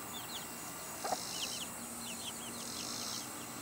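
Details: Hen with chicks: a steady scatter of high, thin, falling peeps from the chicks and one brief low cluck from the mother hen just past one second.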